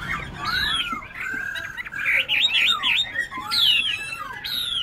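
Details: A Chinese hwamei, a caged bird in Bình Chánh, Ho Chi Minh City, with a twisted hind claw and other faults, sings loud, rich phrases of slurred whistles and quick rising and falling notes, delivered continuously without pause.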